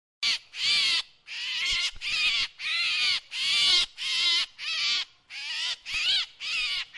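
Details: Drongo calls, presented as a decoy sound: loud, harsh, buzzy notes with wavering overtones, each about half a second long, repeated in a steady series with short gaps.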